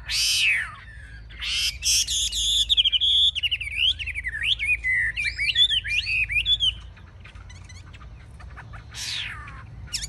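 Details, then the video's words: Chinese hwamei kept in a cage, a fierce fighter performing with high wings and spread tail: harsh rasping bursts open, then a rich stretch of varied looping whistles and quick warbled notes, ending with another rough burst. "Họa mi chơi cánh cao đuôi xòe"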